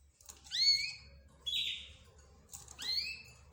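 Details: A recorded mix of birds, named as budgerigar, 'roz' bird, zebra finch and canary, likened to birds talking together; three separate bright chirps with rising and falling whistled strokes, spaced about a second apart, with quiet gaps between.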